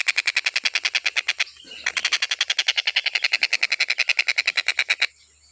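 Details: Stork-billed kingfisher recorded to train other birds' song: a loud, rapid series of coarse rasping notes, about three and a half per second, one short break, ending abruptly.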